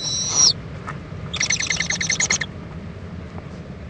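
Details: Owl mother and owlet preening together in Indiantown, Florida, at 11:45 AM on February 26, 2014; a brief high screech, then a rapid run of dry chittering notes lasting about a second over low background hum.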